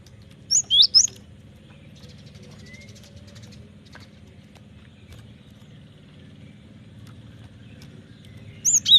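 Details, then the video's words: Gelatik batu, the Cinereous tit, singing as a lure for training birds: a quick phrase of three or four high, sharply sliding whistles opens, then long near-silence with faint hum, and another similar phrase at the end. "Pancingan suara burung gelatik batu gacor ampuh masteran suara burung gelatik batu gacor"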